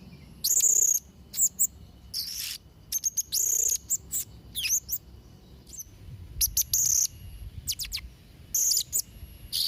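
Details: Lively song of a blue-crowned hanging parrot, meant for training young birds: piercing high squeaks and scratchy bursts in irregular clusters, some notes held briefly, with short pauses between bouts.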